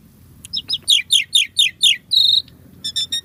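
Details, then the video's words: Asian pied starling singing a quick series of five or six sharp downslurred chirps, then a harsh buzzy rasp and a few short tinny notes, with faint low background hum. "SUARA BURUNG JALAK SUREN GACOR FULL ISIAN MEWAH"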